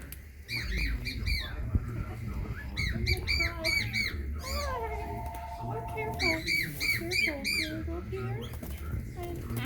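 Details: An albino pet bird held in a pet shop gives quick, arched squawks and a drawn-out, cat-like meowing note, repeated in a busy run; other birds chatter and people talk in the background.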